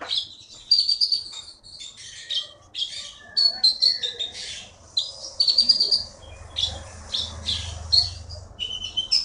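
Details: Champion caged songbird from the Bangka forest in Indonesia pouring out dense, high-pitched twittering and buzzy trills almost without pause, over a low background hum.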